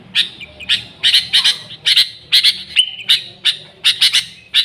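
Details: Sooty-headed bulbul calling busily, a recording meant to attract the species: steady series of harsh, bright chirps in doubled and tripled groups, broken once by a short clear whistle.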